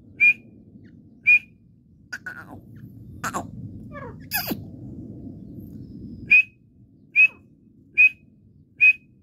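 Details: Partridge (teetar) calling with sharp, clear whistled notes, each about a second apart. A noisy break with scattered clicks and knocks falls in the middle, then the regular whistles resume over a low background hum.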